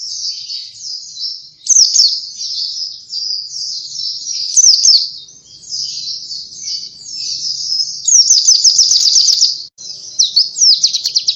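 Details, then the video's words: Oriental white-eye song, used as a lure for other birds: a long, high, rapid twittering warble with quick chirps and trilled bursts, running almost continuously with short breaks. "Burung Pleci cuitannya gacorr cocok untuk pancingan!!"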